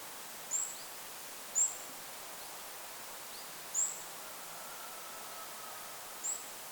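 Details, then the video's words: Four sparse, quick high-pitched Goldcrest notes over about seven seconds in a forest by a lake, each isolated, with background wind noise. "Goldcrest bird call in the forest! Goldcrest call with wind noise in the background."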